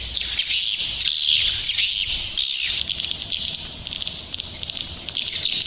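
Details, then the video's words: Rainy-season swiftlet lure call: a continuous high shimmering twitter with quick chirps, softer toward the end, over a light low background rumble. "SUARA PANGGIL BURUNG WALET"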